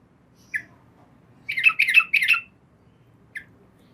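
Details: At night a female yellow-vented bulbul calls the male: a single short note, then a tight cluster of three chattering, bubbly phrases and one more isolated note.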